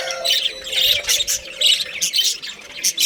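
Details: Pet budgerigar breeding pair chattering: dense, bright warbling and squeaky chirps running almost continuously, with brief pauses between bursts.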